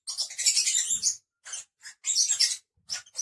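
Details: Five pet lovebirds give a dense burst of shrill, squealing chirps, then shorter separated squeaks, with faint low knocks in the background.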